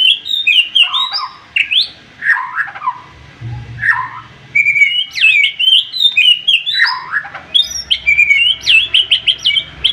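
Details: White-rumped shama pouring out an agitated, sharp song full of varied phrases to stir a rival: dense runs of whistled upslurs, downward warbles and fast flicking high notes, repeated with little pause.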